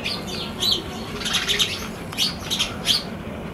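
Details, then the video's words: Sparrows on a balcony giving short, bright chirps in quick bursts, several notes clustered around the middle and end, over a steady low background hum. "Sparrows in the Balcony"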